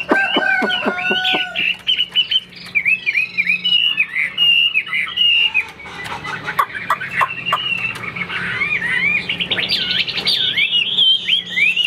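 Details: Caged Vietnamese Chinese hwamei, a fighting-type bird with wing display and upright posture. The clip opens with lower stacked notes mixed with bright looping whistles, then a long run of varied melodious phrases with scattered clicks.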